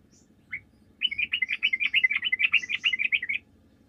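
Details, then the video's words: Lure song of a sooty-headed bulbul for calling up other birds: a single opening note followed by a long, dense rattle of bubbly chattering notes lasting over two seconds, with a low humming background. "PANCINGAN TRUCUK GACOR"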